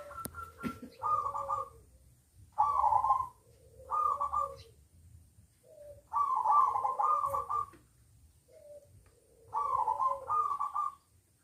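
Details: Zebra dove (perkutut) from a local collection, cooing in short bursts of rapid, rolling, slightly trilled notes about every two to three seconds, with a faint low rumble behind.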